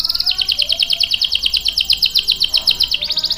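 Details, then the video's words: Canary singing to lure and train young males: steady run of sharp, high chopped notes, about seven a second, ending in a brief faster burst. "SUARA KENARI GACOR ampuh buat pancingan dan masteran kenari paud dan macet | CANARY SINGING"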